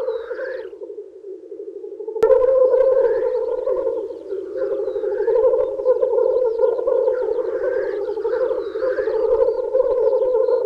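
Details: Black grouse males at a spring lek wooing females: after a quieter opening with one hiss, a sharp click comes before a loud, rolling, bubbling coo chorus with repeated hissed sneezes and distant high bird chirps.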